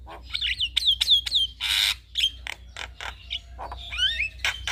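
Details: Male Javan myna singing, used as a lure to prompt other mynas to respond; loud, varied chatter of ringing down-slurred whistles, a broad harsh screech, clicks and rising wavering whistles in rapid sequence.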